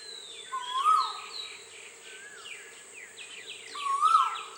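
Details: Asian koel giving two loud, rising whistled notes about three seconds apart, recorded 12 April 2016 during Bohag Bihu in Assam, over busy chirping from other birds and a steady high insect drone.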